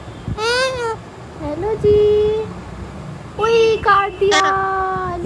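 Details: Parrot saying hello: a few short, nasal, voice-like utterances with rich harmonics, some rising then falling, others held flat, separated by brief pauses in a quiet indoor setting.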